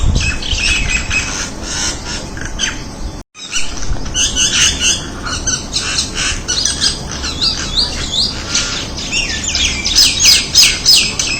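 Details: Crested myna calling: a dense stream of harsh squawks, chattering notes and short sliding whistles, some overlapping as if from several birds, with a brief silent break near the start and steady outdoor background noise.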